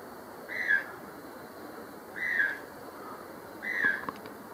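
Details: White-throated toucan in secondary forest, Acacías, Meta, Colombia, repeating a loud yelping call three times at intervals of about one and a half seconds; faint clicks follow the last note.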